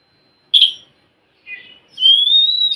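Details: Oriental magpie-robin song played to encourage a quiet bird to sing: a sharp burst, a low buzzy phrase, then a long clear whistle rising gently in pitch.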